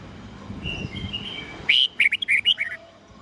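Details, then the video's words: Red-whiskered bulbul singing its morning 'old forest voice' song of 8 to 10 notes, used to coach young birds: soft distant whistling first, then one loud, rapid phrase of about eight sweet, slurred notes. "Luyện chào mào hót sáng GIỌNG GIÀ RỪNG âm 8-9-10 cực chuẩn"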